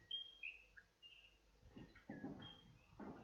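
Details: Western Whipbird recording from the population closest to the local Eyre Peninsula subspecies, calls likened to a creaky cartwheel going round and round: clear high whistled notes, some sliding, followed by softer lower bursts, with faint background noise.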